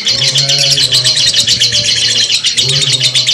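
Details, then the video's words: Lovebird giving a long ngekek chatter: a dense, rapid stream of high, buzzy, rattling notes running without pause, with faint low humming tones underneath. "simuasi lovebird ngekek panjang"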